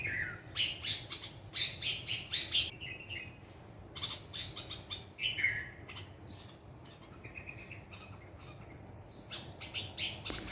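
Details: Two sparrows that visit a large mango tree beside a house every morning chirp in quick bursts of bright, high notes, about four a second, with short pauses and a soft background hum, in a cool breeze.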